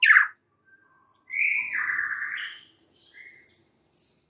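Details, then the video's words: Morning song of a white-rumped shama, meant to prompt a quiet bird to respond: a sharp opening note, then a long, slurred whistle sliding downward, with thin high chips repeated about every half second. "mUrai MACET jadi NYAUT GACOR di PAGI HARI"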